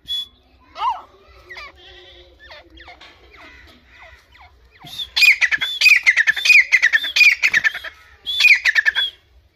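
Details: Grey francolin in a forest: scattered faint squeaky rising notes at first, then a loud burst of harsh, grating repeated notes in quick succession, calling angrily.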